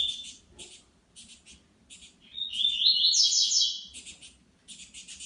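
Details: Wild saffron finch in nature: rapid clusters of high, dry chirps repeated several times a second, broken midway by a louder, rising run of bright warbled notes, then more chirp clusters.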